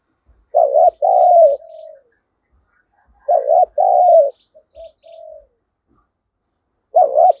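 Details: Spotted dove used as a decoy to incite wild birds to fight, delivering loud two-note coos followed by a soft drawn-out tail, the phrase returning about every three seconds.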